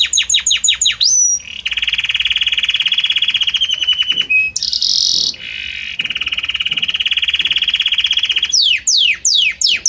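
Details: Belgian canary song evolving gradually from note to note: fast descending chips, a long rolling trill, a buzzy high burst, another extended rolling trill, then steep falling sweeps.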